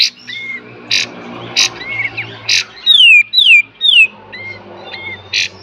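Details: Kapas tembak 'full beset dan tembak' song, a master recording for training cage birds: sharp high bursts repeated about every second, three loud clear whistles sliding downward near the middle, and short rising chirps between them.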